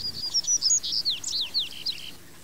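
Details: Thin, high-pitched chirps from a female double-collared seedeater (Sporophila caerulescens), mixing short level whistles with steep downward slurs in a rapid, jumbled series that fades after two seconds.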